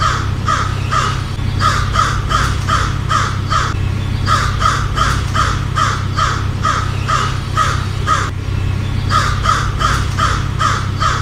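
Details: Long stretch of repeated harsh caws from an American crow, delivered in quick bursts of several calls separated by brief gaps, against a steady low rumble.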